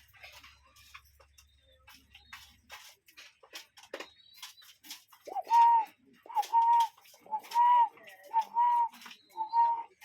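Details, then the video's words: Cuckoo heard outdoors: after several seconds of soft background twittering, a run of clear, hollow, two-part calls begins, each a short lead-in followed by a sustained tone, spaced about a second apart. "Relaxing Cuckoo Bird Sound in Nature"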